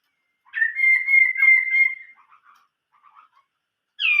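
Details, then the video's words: Chinese hwamei singing an 'old forest voice' style phrase: a sustained, steady whistled note lasting over a second, followed by soft low twitters and a sharp whistle at the end. "chim họa mi hót giọng rừng già"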